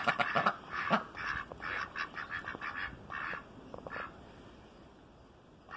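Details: Noisy ducks giving loud nasal quacks in quick clusters early on, the calls thinning and fading to quieter scattered notes toward the end.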